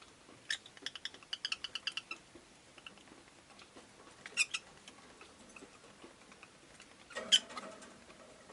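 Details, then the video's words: Rosy-faced lovebird giving a quick burst of sharp, high, clicky chirps over the first two seconds, then two louder, harsher single chirps a few seconds apart, against a faint steady background hiss. "Lovebird Chirping Sounds"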